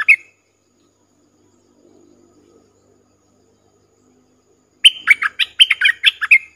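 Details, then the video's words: Streak-eared bulbul as a decoy calling wild birds, recorded 3 June 2021: a brief note at the start, faint low sounds in a long gap, then a lively run of rapid bubbling, up-and-down notes. "เสียงนกดอกแตงEp.55 นกต่อ ถึงกับ งง??|Birds sounds"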